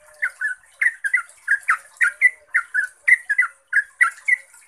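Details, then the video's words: Rapid lure song of a yellow-vented bulbul, 'ropel' style: paired bubbly notes repeated nearly twice a second, rising and falling chortles, with a constant high-pitched hiss in the background. "ROPELAN TRUCUKAN GACOR ini bikin TRUCUK lain LANGSUNG NYAUT, GACOR dan ROPEL - pancingan trucuk"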